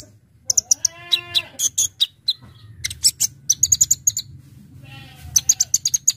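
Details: Brown-throated sunbird song in the full fill-in style used to lure birds: sharp high clicks and chips, a brief buzzy sweep, then fast stuttering runs of piercing high notes.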